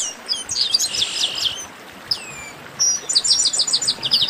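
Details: Chestnut-capped blackbirds in a group "baderna" chorus meant to warm up kept birds: a dense buzzy trill early, sweeping slurs mid-way, then a lively run of repeated sharp chips from several birds.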